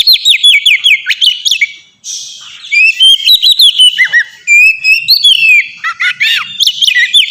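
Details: Kept Oriental magpie-robin singing a clear, open song meant to coax other birds into singing: a long, varied run of loud whistled notes, downslurs and sharp chirps with brief gaps, filling the whole recording.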